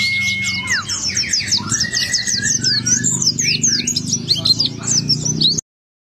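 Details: White-eye singing with open beak, used as a lure to make other white-eyes sing: a fast, unbroken stream of high twittering chirps and slurred whistles, some dipping downward, over a steady low hum.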